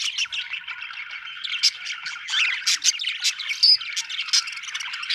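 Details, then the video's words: Budgerigars chatter and chirp continuously, mixing rapid buzzy warbles with bright, clipped high notes that come in quick bursts. "budgie chirping sound"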